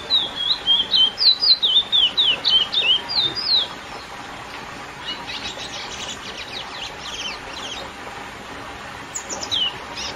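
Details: Curió, the lesser seed finch, in classic song meant to stir up females: fast series of sweet whistled slurred notes over three and a half seconds, followed by softer scattered chirps from other birds.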